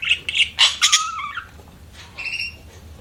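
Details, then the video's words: Budgerigar chirping: several sharp squawky notes, then a sliding whistled warble falling and rising, followed after a pause by a thinner, steady whistled note; low background hum. "BUDGIES CHIRPING SOUND"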